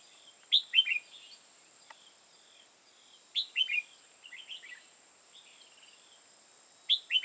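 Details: In Hoa Binh, Vietnam, a red-whiskered bulbul used as a decoy for trapping sings short bubbly phrases of loud falling whistles followed by quick softer notes, repeating roughly every three seconds above a faint steady hum.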